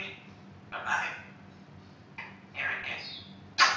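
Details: Female pet African grey parrot, close to two years of age, talking indoors: two short speech-like phrases followed by a sudden sharp squawk-like burst at the end, with a low room hum.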